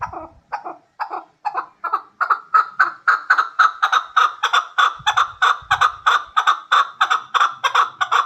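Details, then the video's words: Hybrid chukar partridge calling with a long, insistent series of harsh clucks. The notes begin spaced out, then quicken and strengthen into a fast, regular chatter. A few faint low thuds are also heard. "Кабки Гибрид"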